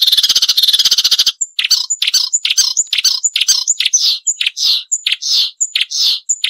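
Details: Marsh warbler singing in a training recording for songbirds, billed as sharp and full of variation: a fast, even rattling trill, then loud varied phrases of swooping buzzy notes mixed with thin high whistles.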